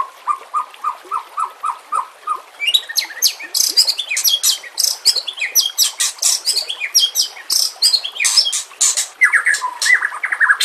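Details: White-rumped shama song used as a training recording for caged competition birds, with flowing water in the background: a run of short repeated low notes, then a rapid, varied cascade of sharp high chirps and whistles.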